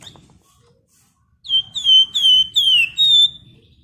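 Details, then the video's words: Golden-headed Cisticola (flamboyan), an Indonesian cage bird singing in the vigorous 'gacor' style, a dense 'ngebren rapat nyerecet' delivery. After a quiet second, five loud slurred high whistles, each sliding downward, follow one another rapidly. "Burung Flamboyan Gacor Ngebren Rapat Nyerecet"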